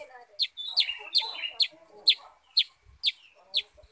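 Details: Sooty-headed bulbul in full voice. A fast series of sharp, descending high notes comes about twice a second, with brief whistled tails and soft lower chatter underneath.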